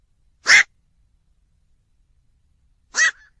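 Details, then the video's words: Night heron uttering two harsh, rasping squawks about two and a half seconds apart. The second squawk ends in a short whistled tail. "বাকচো পাখির /New Night Hiron Bird / Bukcu pakir duk"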